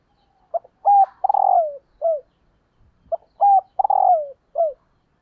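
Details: Decoy hen spotted dove cooing to stimulate males. Two near-identical phrases about two seconds apart, each a short note, a rising-falling coo, a long breathy descending coo and a final clipped note.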